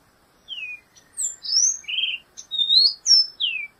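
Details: Black-goggled tanager singing: a varied phrase of clear, high whistled notes, some falling and some slurred upward, delivered in quick succession with brief gaps, in a quiet setting.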